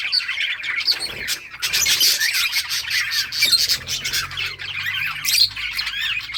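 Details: Budgerigars squawking and chirping while playing in summer breeding season; harsh, loud squawks burst over continuous flock chatter, with a faint low hum underneath.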